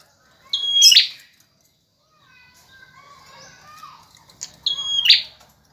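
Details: Male bar-winged prinia singing for training other songbirds: two loud phrases, each a steady high whistle ending in a buzzy burst, with quieter warbling notes between them.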